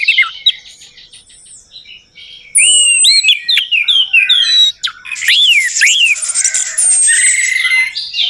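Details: Orange-headed thrush song serving as a lure for a non-singing bird. After soft scattered notes, loud arching whistles and rapid varied phrases take over, mixing with a buzzy background and a long high whistle.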